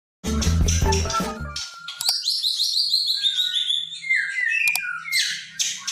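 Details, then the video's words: Oriental magpie-robin song of clear, sweet whistles slurring downward in a rich varied phrase, after a brief burst of music at the start; used to provoke silent male birds into singing. "kicauan burung murai gacor"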